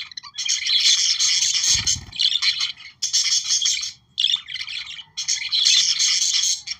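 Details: Budgerigars singing to prompt breeding activity, long stretches of buzzy, rasping chatter and chirps in several bursts, with a short low thump near the start.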